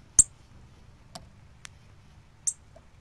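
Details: Cardinal calling on 24 October 2020 with two strong, sharp metallic chips about two seconds apart and a couple of softer ticks in between.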